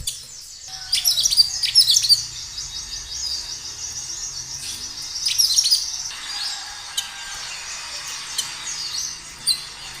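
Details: Kinoi in natural song used to stimulate other kinoi: two bursts of dense, high twittering chirps a few seconds apart, then quieter scattered single notes over a steady faint background hiss.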